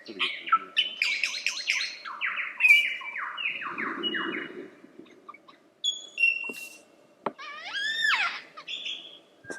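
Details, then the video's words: Lyrebird singing a long varied sequence: rapid falling whistled sweeps in series, scattered short notes and clicks, then a cluster of stacked rising whistles near the end, with a low background rumble and people talking nearby. "Lyrebird The Best Songbird Ever!"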